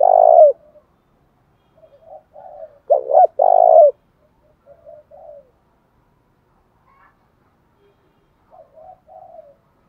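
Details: Spotted dove in the thổ voice style: the tail of one coo, then a full phrase of a quick double note and long coo, with softer short murmured notes scattered before and after.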